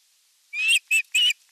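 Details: Osprey calling at the nest during evening feeding, 30 June 2022, filmed by a nest camera: three sharp whistled notes, the first longer and rising, the next two short and clipped.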